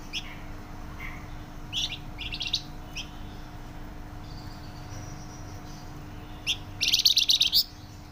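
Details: Flamboyan bird with loud, dense song: scattered sharp high chirps and short note clusters, then a rapid rattling run of bright trilled notes near the end, faint background hum throughout.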